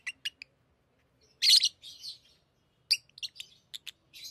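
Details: Tame pet lovebirds playing with rings, giving sharp, high, shrill chirps in short separate bursts, with one louder harsh squeaky outburst near the middle, in a quiet indoor setting.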